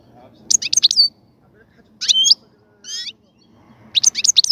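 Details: European goldfinch in a cage set up for mating, singing several clipped, jangling phrases of high twittering notes with short silences between them, including one buzzy note.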